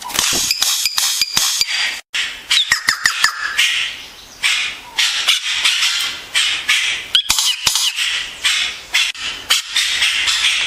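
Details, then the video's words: Yellow-rumped cacique (xexéu) singing a busy, high-pitched jumble of sharp clicks, crackles and short whistled notes, running almost without pause. "Xexéu cantando"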